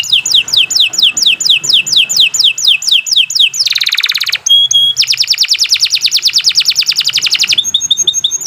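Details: Canary song used to train young or silent canaries: a series of descending whistled sweeps, then a buzzy burst, a clear note and a long rapid trill of repeated high notes.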